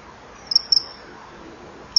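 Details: Common kingfisher pair at a breeding-wall camera on 24 July 2015, 19:09, the female chasing off a begging juvenile. Three brief, shrill, high whistles break an otherwise quiet hiss, two close together, one after a pause.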